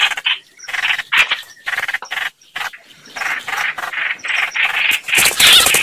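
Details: Chao chảo bird calls for luring birds into traps: softer, broken series of raspy notes with pauses, building into louder harsh chatter and a squeal at the end.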